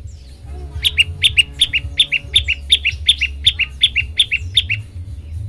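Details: Tutor song of an olive-backed tailorbird, played to prompt other birds to sing: a brisk series of doubled chirps, high then lower, repeated nearly three times a second after a short quiet start, stopping before the end.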